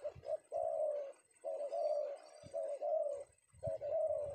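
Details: Spotted dove, called tekukur, a male captured in Indonesia during the afternoon, giving sustained, throaty coos in longer phrases separated by brief gaps, faint high whistles in the background.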